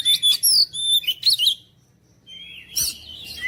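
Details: Oriental magpie-robin song: rich whistled phrases and sharp high notes in quick bursts, then a brief pause and a softer, lower whistle ending in a burst of scratchy notes. A faint low hum runs underneath.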